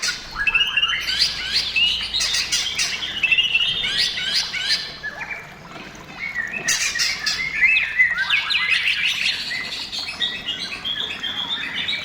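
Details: Energetic white-rumped shama song for prompting other shamas to sing: two long dense phrases of rapid varied chirps, clicks and warbles separated by a short quieter gap, steadily high and busy.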